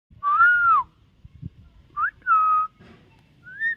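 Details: Common myna, a talking bird, giving clear whistled notes: a long arched whistle, then a short rising note, a level whistle and a final upslurred note, with soft low rumbling beneath.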